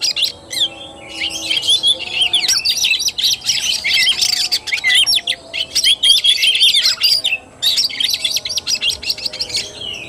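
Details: Oriental magpie-robin singing kacer tarung fighting style on 17 August 2021, a sustained torrent of high varied whistles, rasps and rapid chips with a few short pauses.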